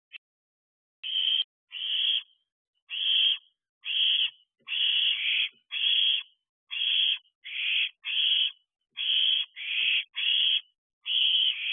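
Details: Eldest barn owl owlets together in an owl box at 2:14 am on 7/5/23, around week 13, with fireworks possibly affecting behaviour; twelve harsh, hissing screeches, each about half a second, repeated in quick, uneven succession.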